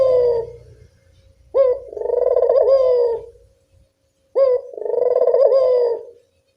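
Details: Barbary dove calling in the evening, a recording used as a lure for doves that are reluctant to call: a short sharp upslurred note, then a long rolling, throbbing coo, the whole phrase given twice about three seconds apart.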